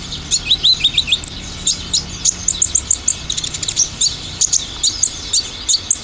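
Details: Olive-backed sunbird lure song with dominant tembakan: quick upslurred high chirps in a run, then dense stuttering ticks and small clusters of sharp notes repeated every half second or so.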